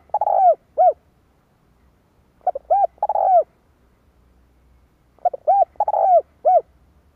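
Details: Decoy spotted dove calling to draw in wild birds, recorded in 2023: three bursts of deep, hollow coos, each a hoarse drawn note followed by clear rounded ones, repeated about every two and a half seconds over a quiet background.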